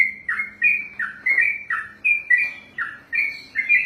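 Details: Trained sooty-headed bulbul in 'ropelan' style: a steady chain of bright, warbling two-part notes, each a low dip followed by a higher whistled slur, roughly three per second with no pause.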